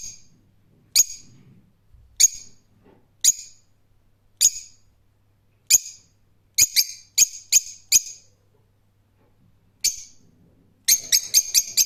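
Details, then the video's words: Rose-ringed parakeet giving single sharp shrieks roughly every second, then a quick string of four, a lone call, and a closing rapid burst of grating screeches. "Cennet Papağanı Sesi"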